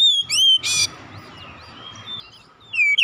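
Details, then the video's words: Oriental magpie-robin song used as a lure to prompt silent birds to start singing: loud whistled phrases with sharp upward sweeps, a harsh burst, then a quieter stretch of thin slurred notes before strong whistles return; faint low hum beneath. "PANCINGAN KACER macet bunyi sudah pasti ikutan gacor"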